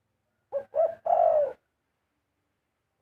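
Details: A single melodious Spotted dove phrase: a short coo, a second slightly rising coo, then a sustained, gently falling coo, followed by quiet.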